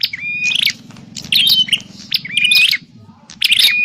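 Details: Prinia sound used to attract birds into a trap: three bursts of scratchy chirps, each with a short steady whistle tail, spaced roughly a second apart over a low rumbling hum.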